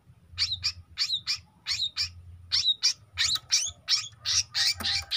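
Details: Long-tailed shrike youngster singing: paired and single scratchy high notes with a slight downward slur, repeated irregularly, growing denser and harsher toward the end; faint low hum beneath.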